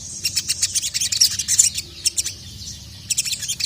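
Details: Sogon (ruby-cheeked sunbird) calling a male in an agitated state: bright, high chips and short trills in uneven groups, fading into a quieter stretch before a final cluster of chirps.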